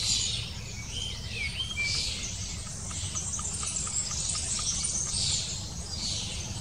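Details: Long-tailed tit parents busily bringing food to chicks about to fledge; thin, high chattering calls in quick overlapping bursts throughout, over a steady low rumble of background noise.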